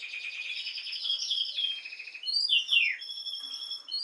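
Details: Canary song for stimulating females to breed, fairly soft: layered buzzy trills, then sharp downslurred whistles and a steady high whistled tone.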